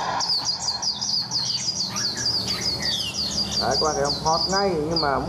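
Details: Wild-caught Chinese hwamei held in a cage for about a month, urged to sing: rapid string of bright high whistled notes, then lower wavering slurred phrases near the end, with constant background hum.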